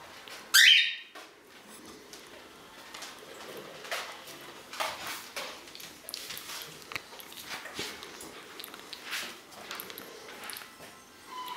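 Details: Green-naped lorikeet giving one loud, harsh, broadband screech near the start, followed by soft clicks, rustling and faint indoor sounds.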